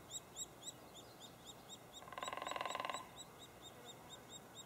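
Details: Nestling white-headed woodpecker chirping at a cavity in Lassen Volcanic National Park, with high, even chirps repeated rhythmically and a short burst of rapid drumming in the middle.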